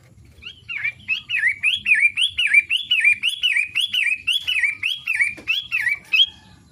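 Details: A long-tailed shrike delivers its daily song, a long series of about a dozen slurred whistles that rise sharply and drop, repeated roughly twice a second with a brief sharp click near the end.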